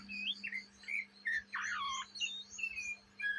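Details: Young Oriental magpie-robin, Indonesia, chattering in the ngriwik manner; a harsh, grating squawk sits among short slurred whistles and rasping notes, with a low constant hum behind.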